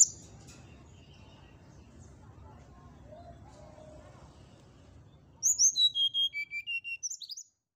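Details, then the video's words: Brown-chested jungle flycatcher song used to provoke rivals: after several seconds of low background rumble, a fast descending series of high whistled notes ending in a few sharp upturned squeaks. "suara pancingan srdc agar lawan cepat emosi gacor,auto langsung cepat respon"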